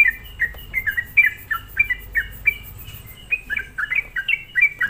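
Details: Provoking lure of a sooty-headed bulbul: rhythmic bouncy phrases of falling whistled notes in pairs, a short pause, then a denser cluster of chirps.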